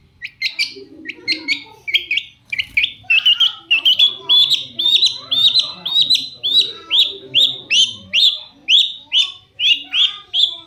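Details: Extended lure song of a vocal long-tailed shrike to draw responses from other shrikes: sharp chips at first, then a long, rapid, regular series of bright clipped notes, about two each second.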